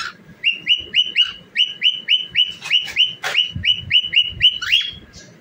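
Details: Dancing cockatiel sings a quick chain of rising whistled notes, about four per second, with one sharp click partway and a lower slurred note near the end.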